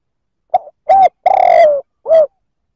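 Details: One cooing phrase of a spotted dove meant to rouse rival males: a soft opening note, a rounded coo, a drawn-out trembling coo falling in pitch, and a last short coo.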